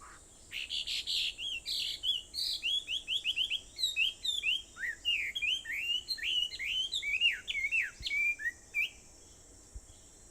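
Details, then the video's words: High, rapid chattering song of a bird on Aobayama, Sendai, recorded at 4:30 in the morning, 21 July 2014; dozens of short sliding notes tumble quickly for about nine seconds before stopping. "Sound of Birds on Aobayama, Sendai, 2014.7.21 (4:30)"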